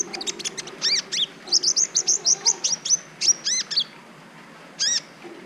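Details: Brown-throated sunbird singing on a recording used to train other birds and provoke their mating urge: a quick string of sharp, high, hooked chip notes, about a dozen in steady rhythm, a pause, then one more note, on a quiet background.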